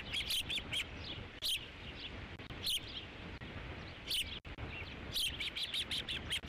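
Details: Fifth fish delivery at the Dunrovin Ranch osprey nest, 3 July 2016: loud, clear whistled chirps in short groups, a pause mid-clip, then a rapid string of repeated notes at the end, background low noise.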